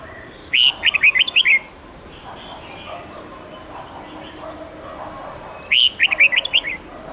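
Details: Wild old red-whiskered bulbul's bright 10-12-13 note song, played for young birds to learn. Two phrases of quick, sharp whistled notes, about five seconds apart. Softer distant bird calls and background hiss are heard between them.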